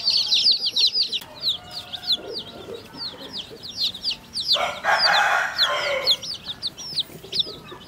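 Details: Baby chicks drinking water: a stream of rapid high, thin peeps, each sliding downward, overlapping from several birds, with a burst of louder rustling and splashing noise midway.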